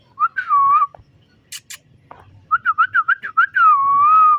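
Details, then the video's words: Green pet parrot playing and interacting with its owner indoors, giving a steady whistled note, then a quick run of about eight short rising-falling whistled notes, ending in a long, slightly falling whistle; faint clicks in between. "Beautiful Green Parrot Playing & Making Stunning Sounds"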